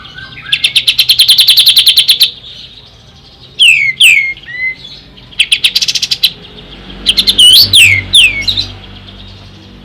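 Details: Song of an Ashy tailorbird: a fast trill of bright chips, then loud downslurred whistled notes in pairs, more quick chip runs, and further sweeping slurs.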